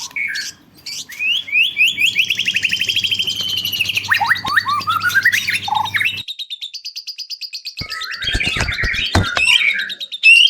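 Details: White-rumped shama song used as a lure to prompt other birds to sing: rising whistles lead into long, fast trills and rattling runs, then a silent pause before buzzy, clattering notes resume.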